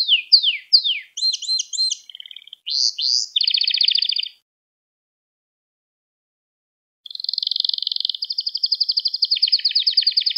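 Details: Canary song used as a lesson for young birds: downward-slurred notes and double chirps, a short buzzy trill, a silent gap of nearly three seconds, then a long even rolling trill.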